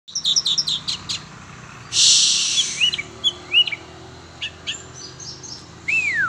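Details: Oriental magpie-robin (kacer), a sport bird being exercised: varied bright chirps and short whistled upward and downward sweeps, a loud hissing burst near the start, and a long falling whistle at the end.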